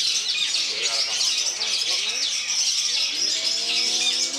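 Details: A Long-tailed shrike (cendet) at a bird-song competition in Yogyakarta on 1 May 2022, where it won first place, pours out a dense, fast stream of high chattering and scratchy mimicked notes without pause over a busy crowd.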